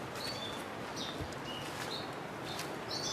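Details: Black bulbuls on Neidong Forest Road in Wulai, Taipei, Taiwan, give their three-pitched call: short, thin chirps about one every half second to second, over a steady background hiss.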